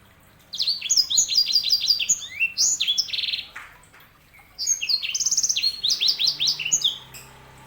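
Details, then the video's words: Sanger canary hybrid delivering two long phrases of rapid repeated high chirps, with rolling trills and descending slurred notes between them. "KICAUAN SANGER"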